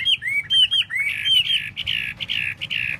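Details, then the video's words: Chinese hwamei giving quick repeated clear whistled notes, then a run of short buzzy-edged phrases, bright and loud, with a faint low hum behind. "Hoa mi mua duoi"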